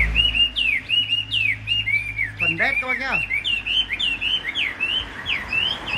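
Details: Caged Chinese hwamei, a 2019 top-10 placer at Thanh Trì, sings continuous rapid whistled notes with looping upward and downward slurs, broken briefly by a short harsh rasping burst, over a low hum.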